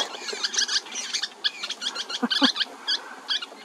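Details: Three juvenile Western kingbirds in California waiting to be fed while parents bring food; a dense run of short, harsh, chattering notes, many overlapping, with broken bursts throughout and a few lower squeaky notes midway.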